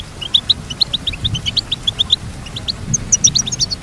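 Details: Goldfinch singing a lively twitter of clipped, high chirps repeated several times a second, with a faint low rumble underneath and a burst of higher notes near the end.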